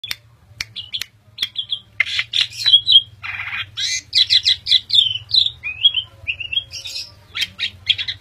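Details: A captive-bred pet Asian pied starling sings a lively, varied jumble of clear whistles, sharp clicks and harsh, buzzy chatter in quick bursts, over a faint low hum.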